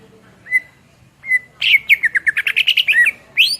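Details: Cucak ijo (greater green leafbird) singing vigorously as a model for songbirds: two separate clear whistles, then a fast chattering trill of about a dozen buzzy notes, ending with a rising whistle.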